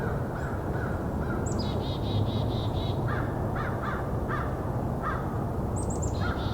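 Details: During a winter Christmas Bird Count, about five American Crows noisily excited, possibly by a predator or rival crows, give short, harsh caws in quick bursts of three or four over a heavy low rumble of wind or distant traffic.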